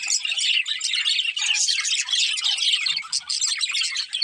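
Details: Breeding pair of budgerigars chattering: rapid overlapping chirps and warbling twitters, loud and continuous, easing slightly near the end.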